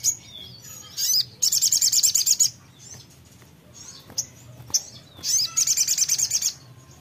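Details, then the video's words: Songbird singing back after a brief playback: short high whistles, then a fast run of crisp chirps lasting about a second, scattered notes, and another rapid chirping burst, against a low humming background. "putar sebentar langsung nyaut sogon nya"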